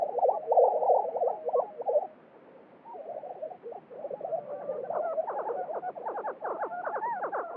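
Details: Lesser Prairie-Chicken males strutting and calling on a spring lek in New Mexico, competing to attract females. Thick bubbling gobbles pause briefly, then a busy chatter of clucks and rising yelps builds.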